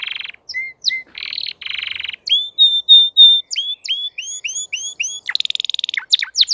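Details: Crested canary (Arabic: mqanbar) in full form singing a varied song: buzzy rolled notes, then clear whistled tones and fast repeated downslurred phrases, ending in rapid trills.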